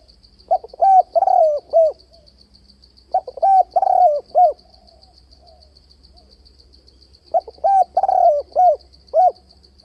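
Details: Spotted dove calling to lure doves into fight traps, with a changing voice and continuous bowing coos: three bursts of hoarse, rounded cooing notes, each of about five or six syllables, separated by pauses, over a steady high insect-like whine.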